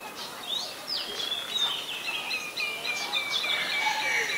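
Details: Common Myna in Ubon Ratchathani, Thailand, on 28 February 2022, giving a busy run of whistled, chattering notes and sliding squeaks, high and fast, several per second, over a steady outdoor hiss.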